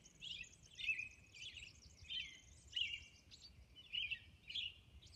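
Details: Robin caroling at dawn on Orcas Island, short warbled whistles repeated about every half second to one second, with thin, high trilled notes above and faint background noise.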